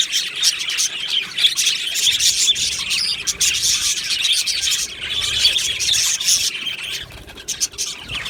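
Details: Aviary budgerigar colony recorded 22 June 2025: lively overlapping chirps and warbling chatter from many birds, loudest in the middle, easing off slightly near the close.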